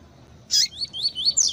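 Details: Double-collared seedeater in the tui tui song style, with female calls meant to excite males: one harsh, high chirp followed by a short string of thin, wavering whistled notes.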